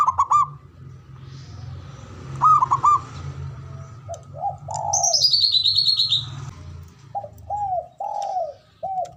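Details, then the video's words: Ngoar manggung calling of a male zebra dove, used to provoke mating arousal: short bursts of stuttering mid-pitched coos and longer falling coo notes, with a high, descending whistled series from another bird and a steady low hum. "SUARANYA🔊 PALING DI CARI UNTUK PENDONGRAK BIRAHI & EMOSI❗NGOAR MANGGUNG"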